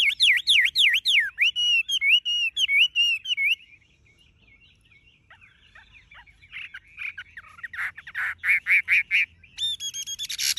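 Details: Chinese hwamei, a tame captive bird with bright yellow legs, bill and feathers, singing tirelessly. It opens with loud rapid wavering whistles repeated several times a second, then quieter twitters, then bursts of scratchy chattering and high ringing notes.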